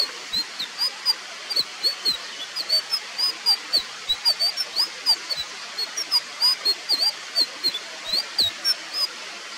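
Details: Indigo flycatcher, a bird of Sumatra, Java and Borneo, giving a long series of thin, high whistled notes, each slightly upslurred, repeated several times a second over a hissing background with faint clicks.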